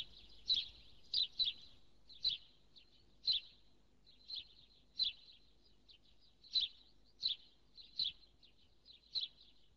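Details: House sparrow giving loud, single chirps that rise and fall sharply, spaced irregularly about every half second to a second, a dozen across the stretch, over quiet background.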